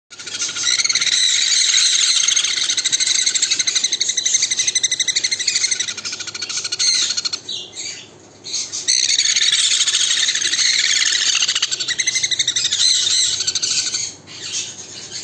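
A conure gives loud, harsh, grating screeches in rapid succession, almost continuous, with two brief pauses.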